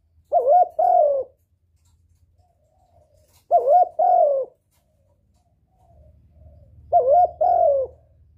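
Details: Spotted dove cooing as a lure to attract a male: three low, mellow two-part coo phrases spaced about three seconds apart, each with a soft hollow rising-falling note; faint low rumble underneath toward the end.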